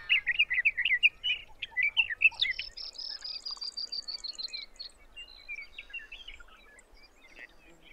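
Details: Sage thrasher at Arapaho National Wildlife Refuge in Colorado, June, opening with a burst of loud rapid warbling, followed by a quieter series of high thin repeated notes that fade away toward the end.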